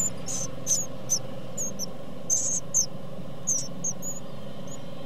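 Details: Great tit chicks being fed by their parents give thin, very high squeaky calls in short bursts, several per second, over a steady low hum.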